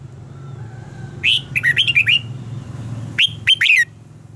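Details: Red-whiskered bulbul singing competitively, a recording meant to train other bulbuls' voices. A quick run of bright, warbling whistles follows about two seconds later by a second shorter burst, over a steady low hum.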